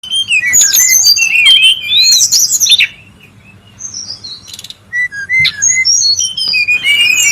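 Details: Brown-chested jungle flycatcher calling noisily in the wild, a lure and tutor recording: bright whistled notes and trills high in pitch, slurred up and down, in a busy burst, a short quiet pause, then more rapid whistles.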